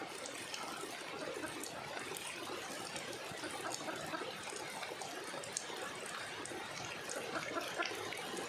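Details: Continuous rushing, splashing water like a running tap or stream fills the recording, with no animal call standing out.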